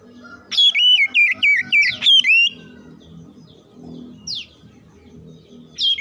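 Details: Oriental magpie-robin answering other song: a two-second burst of rapid, loud swooping whistles, then quieter gaps broken by single falling chirps, over a low background rumble.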